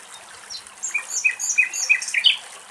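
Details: A Common Nightingale in Greek countryside with sparse gusts of wind sings a rapid, varied phrase of short, sharp whistled notes and high chirps, several repeated at one pitch.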